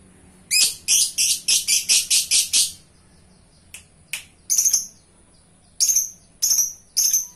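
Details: Lovebird in strong song: a rapid burst of about eight harsh, high chattering notes, a pause, then scattered sharp chirps repeated at irregular intervals, all high-pitched with a quiet background.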